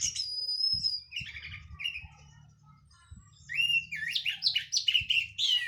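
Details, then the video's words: Orange-headed thrush, local Cililin bird done moulting, singing clearly in teler style: a long high thin whistle, soft warbles, then a loud fast cascade of varied twittering and whistled notes, with low thumps in the background. "KICAU ANIS MERAH PLONG + TELER LOKAL CILILIN BERES MABUNG"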